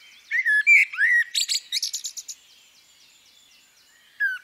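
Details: Common blackbird, female, with a flowing phrase of warbled, slurred whistles that turns into a fast string of thin high chips. A single soft fluty note follows near the end.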